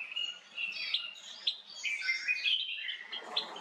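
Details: A male cut-throat finch, small ornamental estrildid finch, calls in a continuous stream of thin, high chirps and sharp tweets, quick and uneven, with short bright clicks scattered through.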